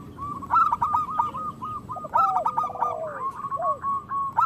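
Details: Zebra doves of a local strain singing loudly to encourage idle doves to sing: rippling series of short cooing notes about a second long, with lower sliding notes and a rounded coo near the end.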